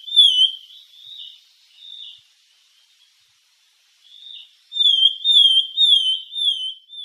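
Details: Sultan tit (Melanochlora sultanea) song: clear, slurred whistles around the same high pitch, a few spaced notes, then a quicker run of five or six after a short pause.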